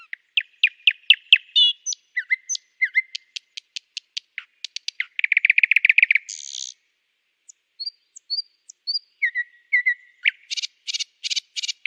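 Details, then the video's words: Nightingale in full song, switching between rapid clicking series, a dense buzzy rattle, a pause with soft high whistles, and a closing burst of fast chattering notes; phrases vary constantly. "beautiful #nightingale singing"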